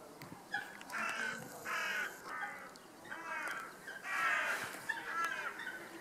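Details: Hooded crows circling in a quiet flock, a lookout bird signalling the group to fly and return: a series of about six rasping, nasal caws spaced roughly a second apart over a steady hiss of background noise.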